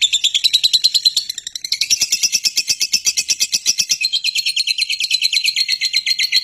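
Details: Lovebird giving a long chattering trill, known as ngekek, used as lure audio to prompt other lovebirds to trill: a continuous, dense, high, rattling chatter of rapid pulses running unbroken for over six seconds.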